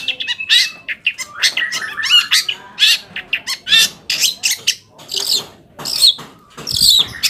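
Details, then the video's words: Long-tailed shrike (cendet) song used as a lure to provoke other shrikes into answering and singing: rapid, harsh, varied high chattering notes and squeaky phrases in irregular bursts, with quick downslurred whistles mixed in. "PANCINGAN AMPUH BURUNG CENDET AGAR CEPAT GACOR - cendet manapun langsung nyaut dan emosi"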